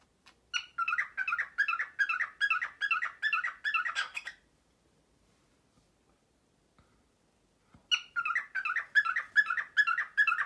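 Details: Early-morning printer imitation by a male cockatiel kept as a pet: a steady series of clipped, harmonic chirp bursts for about four seconds, three seconds of silence, then the same mechanical-sounding rhythm resuming.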